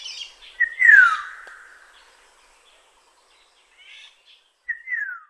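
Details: Black-naped oriole, Kaohsiung City, 9 May 2016: two mellow whistled phrases about four seconds apart, each a brief lead note and then a slurred downward glide, with a few soft chatter notes between them.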